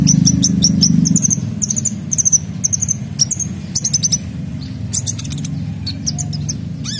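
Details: Sunbird singing vigorously with a full set of fill-in phrases, used to prompt other birds to sing: rapid high thin chirps and short sweeping notes in quick bursts over a steady low hum.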